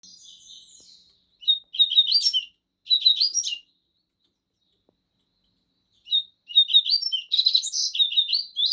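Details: Two caged Double-collared Seedeaters (coleiros), one a 'bico de aço' singer and one a 'trem bala' singer, duel with the same song: high, sharp chirped phrases in bursts separated by short silences, with a quiet warbled opening.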